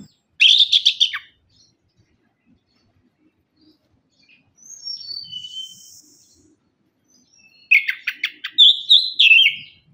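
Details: Orange-headed thrush song played as a lure, with a rapid chattering burst, soft high whistles after a pause, then another busy chattering and whistled phrase.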